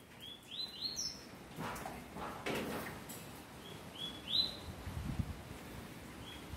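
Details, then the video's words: Double-collared seedeater singing: short whistled notes rising and slurring upward, given in two brief bursts of quick phrases separated by a pause, with low rumbling noise bursts in the middle. "papa capim vírus mortal"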